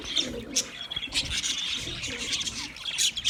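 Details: Short burst of budgie chirping: bright, high squeaky notes and scratchy chatter, with a couple of piercing chirps standing out over a low murmur.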